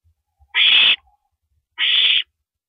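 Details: Owl at 1:27 AM, April 9, 2012, while an owl downs a rabbit; two loud, rasping hiss-screeches a little over a second apart, with faint low thuds.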